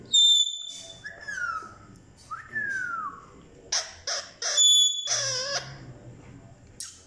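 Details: Indoor pet talking parrot, with a woman urging it to say the Hindi word for mummy: piercing whistles, two falling whistled glides, then a string of harsh squawks.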